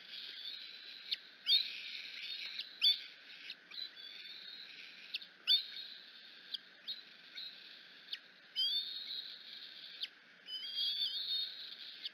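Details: Decorah nest, afternoon: a hungry bald eagle eaglet on the skywalk screeches when its mother arrives. Long run of piercing whistled squeals and sharp clicks, some drawn out, others clipped, spaced unevenly across twelve seconds.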